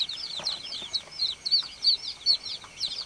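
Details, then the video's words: Several young farm chicks peep to call the hen, a quick run of thin, high, downward-sweeping chirps nearly three per second over soft background noise. "BABY CHICK CHIRPING SOUND"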